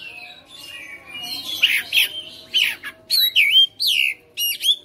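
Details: Home-bred caged Oriental magpie-robin (kacer) in persistent fighter style, singing freely and showing off its repertoire: a few harsh scratchy notes, then loud clear whistled slurs and rising-falling upswept phrases in short bursts, with a faint low hum behind.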